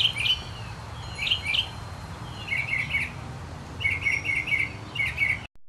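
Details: Northern mockingbird singing just before the summer solstice, giving bright, chirpy phrases, repeating one twice, then switching to a burbling phrase delivered three times, over a faint low hum.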